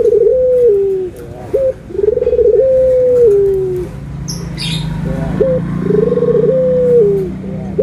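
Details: Barbary dove, with white and brown doves compared, giving loud rolling coos: two long quavering phrases, each stepping up then falling away, linked by short upward notes; a brief rustle and low background hum.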